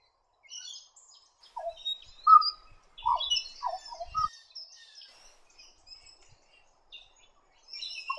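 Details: Black Butcherbird of northern Australian mangroves and rainforest: a loud series of rich, low, mellow whistled notes, four or five in close succession, over a steady background of faint, high twittering from other birds.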